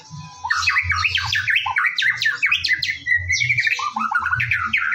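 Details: White-rumped shama in morning song used as a lure to make birds sing: quick chattering notes and sharp whistles in rapid sequence, a held whistle near the middle, with a low hum underneath.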